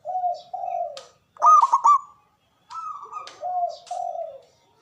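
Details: Local Javanese zebra dove with a loud, big voice and long breath, used as a lure and to coax stressed or silent doves back into song. Drawn-out low coos alternate with a quick stuttering burst of clipped notes.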